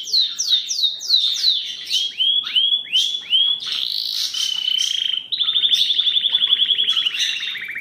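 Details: Song of a Belgian canary, opening with repeated sweeping whistled notes, then curved rising-falling phrases, a held high tone and finally a dense, fast rattling roll.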